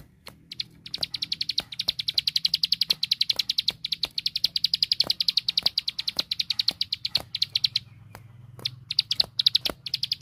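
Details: Plain prinia (ciblek sawah), a village bird whose song is used as a master for training larger birds: a long, fast run of high buzzy notes with a brief pause near eight seconds, over sharp dry clicks throughout.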